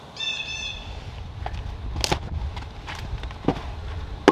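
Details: In the first week of spring, a Blue Jay gives one harsh, nasal, ringing call lasting under a second. Loud chopping knocks and cracks follow.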